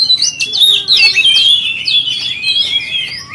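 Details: Oriental magpie-robin song to provoke other magpie-robins, a short loud flow of sweet sliding whistles and fast chattering notes, running almost continuously.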